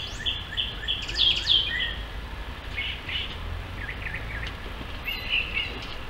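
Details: Brown thrasher singing at twilight on June 1, perched at the very top of a distant tall tree. Varied short phrases of clear and slurred notes, some repeated, come in quick succession over a steady low rumble of background noise.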